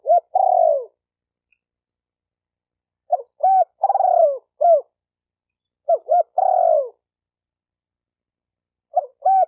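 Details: Spotted dove calling to train a newly caught bird, phrases every two to three seconds: a clipped note, a rounded looped coo, a long vibrating falling coo and a final bent coo; nothing else audible.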